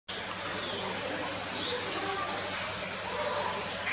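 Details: Red siskin flying free inside the aquarium building at Zoo Zürich, Switzerland, recorded 29 March 2018, singing a continuous high, thin twittering warble with buzzy rising notes that swell midway and then fade.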